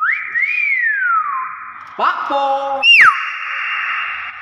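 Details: Natural whistling of a Bornean common hill myna: a rising and long gliding fall, then a brief harsh note and a sharp steeply dropping whistle, against a constant droning hum.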